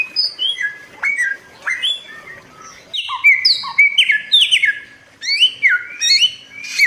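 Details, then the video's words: Song of the bare-throated whistler (kancilan Flores) from Flores. It opens with scattered sweeping notes, then builds into dense, loud, ringing whistles that climb and drop in overlapping steps. "suara pancingan burung samyong buat masteran jernih gacor"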